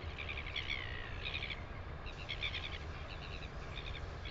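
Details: On 9 September 2020 in New Zealand, a Northern royal albatross gives a run of harmonic, wavering call phrases in quick clusters, some rising and falling. Strong low wind noise runs underneath.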